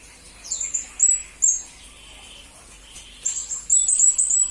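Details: Blue-crowned hanging parrot, recorded as a master for songbird training. Isolated shrill high squeaks, a quiet gap, then a closing run of quick piercing notes.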